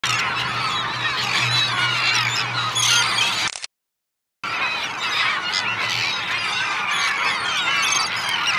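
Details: Huge mixed feeding flock of gulls, mostly herring, great and lesser black-backed, common and black-headed, with Kentish and common terns, on Fanoe Beach, Denmark, 14 August; dense overlapping squealing and honking calls, broken by a short silent gap.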